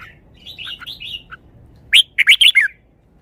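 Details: Red-whiskered bulbul song phrase: a run of soft, wavering whistled notes followed by four or five loud, sharp, descending chirped whistles in quick succession.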